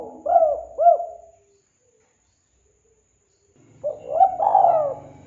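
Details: Spotted dove used to lure birds gives two rounded hoots, then falls silent. A final phrase with a long coo follows over faint low rumbling noise.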